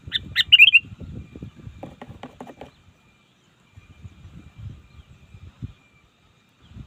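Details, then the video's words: Short bubbly phrases from a trained sooty-headed bulbul used to call opponents in the wild open the recording, then give way to rustling, tapping and low rumbling handling noise. "Suara burung kutilang ajaran, belajar memanggil lawan di alam liar!!!"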